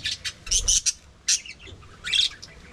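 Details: Budgies calling as they eat, a few sharp scratchy chirps in quick clusters separated by brief silences.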